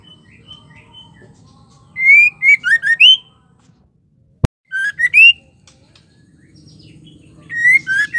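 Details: Female white-rumped shama (murai batu betina), kept bird, singing to provoke males into singing: two bursts of clear whistled phrases, a rising note then quick downslurred and upslurred whistles, separated by a sharp click and a pause, with low background hum.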